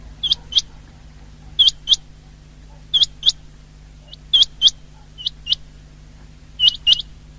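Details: Common quail, known locally as batair, recorded on 19 February 2024: sharp, high whistled notes flicking upward, mostly in pairs, with each group coming about every 1.3 seconds over a quiet background hum.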